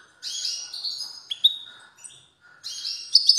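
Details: European goldfinch singing strongly with a steady, high, buzzy twitter, a sharp accented chirp, a brief pause, then a renewed burst of bright trilling.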